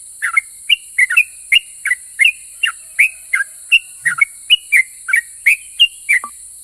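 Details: Sooty-headed bulbul in 'ropel' song, said to make other bulbuls reply. It gives a brisk run of short whistled notes, about three per second, alternating upward and downward slurs. A faint low blip sounds midway, and a constant high hiss continues behind.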